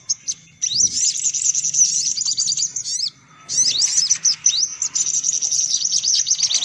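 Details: Brown-throated sunbird chattering noisily as a lure for sunbirds: after a short pause, dense high-pitched trills of rapid ticking notes, broken by a gap near the middle, then resuming with sharp rising chips.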